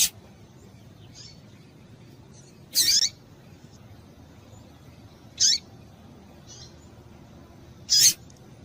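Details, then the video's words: Female double-collared seedeater call, used to get males singing; short bright high-pitched bursts roughly every two and a half seconds with faint softer notes between, quiet background otherwise. "Piado de Fêmea de Papa capim"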